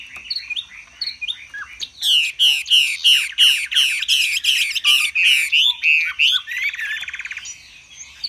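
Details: Chinese hwamei in a cage, fanning out in display and singing high: after soft opening notes, a loud series of ringing slurred phrases repeated about three times a second, ending in a rapid trill.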